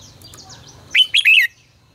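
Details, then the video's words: Red-whiskered bulbul singing in the 'ché căng lửa' style, used as a lure for training birds to sing: one loud, rapid three-part whistled phrase, the notes sliding and warbling, with faint high chirps from other birds beforehand. "Luyện giọng cho chào mào hót hay -Ché căng lửa cực phê, chào mào hót quá phê"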